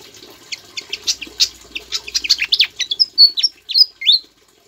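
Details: Javan flycatcher, a lively singer with Ciblek (bar-winged prinia) imitations, suited for teaching songs to cendet, murai and kacer; a dense burst of quick high chirps gives way to several clear, bent, whistled notes before falling silent.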